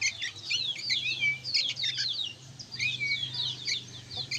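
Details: Young sooty-headed bulbuls chattering noisily: a tangle of fast, squeaky, downslurred chirps with a thin whistled note twice, over a steady low hum in the background.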